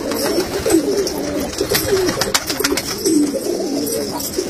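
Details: Kalsara pigeons, a domestic breed, cooing indoors: low, throaty rolling coos overlap throughout, with soft bubbling swells repeated about every second and faint background clatter.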